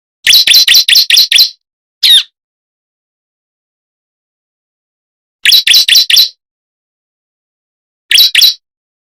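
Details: Ciblek or prenjak jali, the bar-winged prinia, giving a lure call meant to make birds respond: rapid runs of five or six piercing chip notes, then a lone rising note, later bursts of four and three after long pauses.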